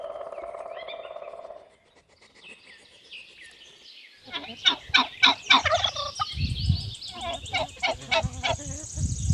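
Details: Turkey gobbling: a steady low hum and soft rising notes open, then from about four seconds a fast burst of rough, pulsed, burbling notes repeated several times a second, loud and throaty.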